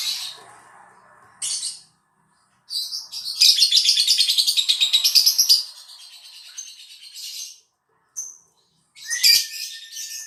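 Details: A lovebird lure recording meant to make other lovebirds sing: shrill squeaky bursts, then a long rapid run of scratchy chattering notes, several per second, ending in more high squeals and a thin steady whistle.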